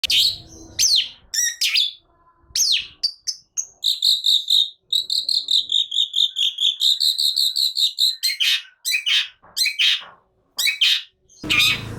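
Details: Caged long-tailed shrike in agitated, full song: a run of steady buzzy whistled notes near mid-pitch repeated rapidly, broken by harsh scratchy chatter bursts before and after, with a brief rustle at the end.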